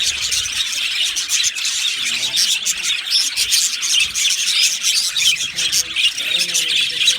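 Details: Many Australian budgerigars chattering together in an aviary colony on 15 July 2025, a busy overlapping mix of sharp chirps, clicks and warbled notes with no pause.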